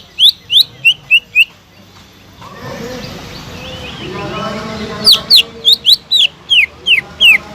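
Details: A steadily singing greater green leafbird, offered as a lure for leafbirds gone quiet, gives a quick string of bright down-slurred whistles, pauses while soft murmuring and twittering fill the gap, then resumes with a longer whistled run.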